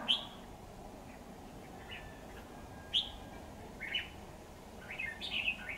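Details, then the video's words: Red-whiskered bulbul, a 'mào đinh lân hầu bò' decoy bird used for trapping, recorded 28 September 2019: short bright warbled phrases around every second, separated by pauses, over a steady low outdoor hum. "Bẫy chào mào Mào đinh lân hầu bò"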